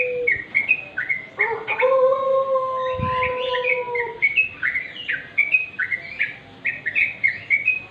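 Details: In the half-light, a wild yellow-vented bulbul pours out lively, gurgling whistled phrases, with a sustained low hum in the first half and a brief thump near the middle.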